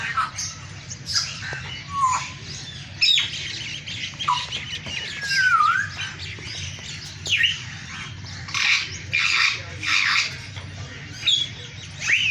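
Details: Green African parrots giving chirps, squawks and a few slurred whistled notes in separate bursts spaced one to two seconds apart, over a low steady hum.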